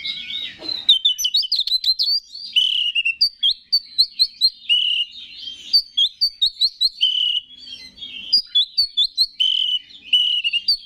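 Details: Oriental magpie-robin, a kept songbird, singing a gacor song used as a lure to stir rival males: loud sweet whistles and rapid repeated chirping notes, with quick strings of sharp upslurred phrases between longer warbled tones.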